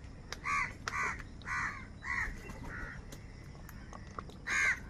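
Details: Crows fighting over food give a run of four harsh, nasal caws in quick succession, then a pause and one final loud caw.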